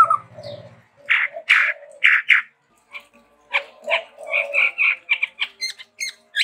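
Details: Sumatra-endemic chestnut-rumped babbler in busy, varied song: low warbles, then loud harsh squawks, scattered scratchy notes and a quick run of chattering syllables that grow higher and sharper toward the end.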